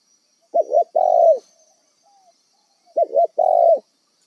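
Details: Spotted dove, a wild bird kept as a trapping decoy, calling with a quick doubled coo followed by a long throaty coo, the pattern given twice with a pause of roughly two seconds.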